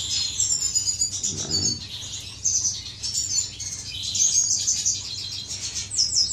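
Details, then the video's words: Courtship among finches in an aviary on 10 May 2015, a dense stream of high twittering notes, fast trills and short whistles from overlapping birds, with a brief low rustle midway and steady background hum. "غزل بين طيور الفنش داخل مطير"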